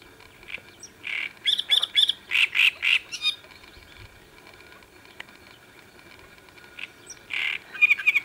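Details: Great reed warbler singing on the Sviyaga riverbank on 25 May 2017, with loud, harsh, croaking phrases of rapid rasping notes repeated about four per second, a quiet pause in mid-clip, then renewed grating chirps near the end.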